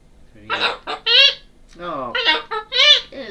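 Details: A young male cockatoo about four years old, prompted when the phone rings and his owner talks on it, mimics speech in raspy, high-pitched bursts: about seven quick word-like syllables over three seconds, with hello-like phrases.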